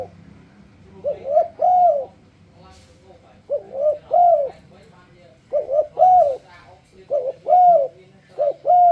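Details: Spotted dove, known locally as tekukur, cooing to lure other doves into singing along: soft, low hooting coos in short phrases of three to four notes, repeated about every two seconds against a faint background hum.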